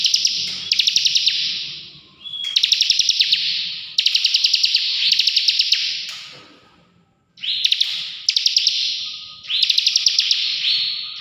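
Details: Kept bar-winged prinia in full, energetic song: five or six buzzy, rattling high trills with crisp clicking ticks, each about one and a half seconds long, delivered with brief gaps between them.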